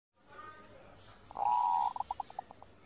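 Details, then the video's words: Zebra dove, used as master audio to train captive birds to sing: one short phrase opens with a steady mid-pitched coo, then breaks into a quick series of separate cooing pulses; the recording is quiet. "masteran perkutut, perkutut gacor"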